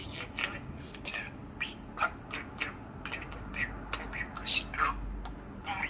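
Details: Male budgerigar, six years old and kept indoors, chirps and chatters on a cold December day: quick scratchy ticks, whispery warbles and bright short squeaks in a busy irregular run.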